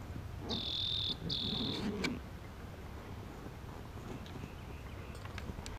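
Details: A rock wren, recorded in CO in 2017, sings two quick, high, buzzy trills back to back, each lasting just over half a second, over a low rumble of wind.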